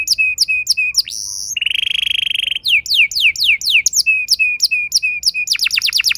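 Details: Canary lure song for young birds, meant to set other canaries singing in long rolls: downward-sweeping whistled notes repeated rapidly, then a buzzy steady roll lasting about a second, followed by more sweeping note series and a fast high trill.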